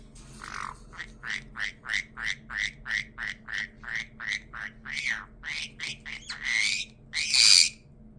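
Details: A male pet caique, recently adopted, gives a quick run of about eighteen short, squeaky chirps, roughly four a second, ending in a few louder, harsh squawks.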